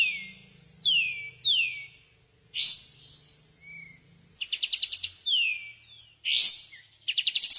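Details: Greater green leafbird master song for training other birds. Sweeping downslurred whistles recur about once a second, mixed with short rattling chip series.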